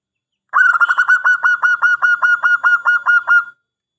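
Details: Local Indonesian zebra dove in lively voice, singing a long 'angkatan panjang' phrase used as a lure: a quick run of about twenty short cooing notes on one steady pitch, evenly spaced, over three seconds against a silent background.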